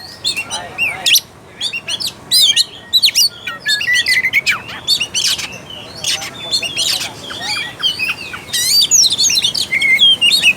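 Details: Energetic Oriental magpie-robin song meant to rouse a lazy magpie-robin's singing and fighting urge: almost continuous rush of high, varied chirps, rapid whistled slurs and clipped notes, barely pausing across the stretch.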